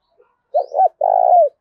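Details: Fierce contest call of a wild-caught spotted dove, 'thổ pha đồng' voice: a two-part coo, a wavering double note followed by a long, steady, burred note sliding down at the close; otherwise quiet.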